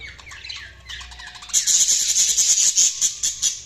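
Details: Budgerigar chirping. Soft, descending warbled notes give way to a fast, dense run of very high, buzzy chatter, repeated in rapid pulses.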